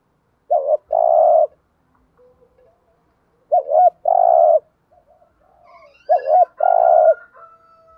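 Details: Decoy spotted dove calling to attract wild doves: three coo phrases roughly every three seconds, each a wobbling double note and a steady low hum, with a faint higher whistle near the end.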